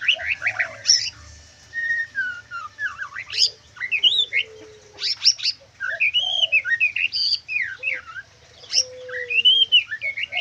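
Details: White-rumped shama in full kriwikan trotol song, mixing clear rising and falling whistled phrases with dense, scratchy high chatter. Phrases come in quick, varied bursts, and a soft low tone sounds now and then.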